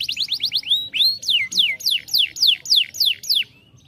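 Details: Song of a young canary, played to stimulate other birds: short rising notes lead into a rhythmic series of loud descending whistled sweeps, about three a second, ending quietly.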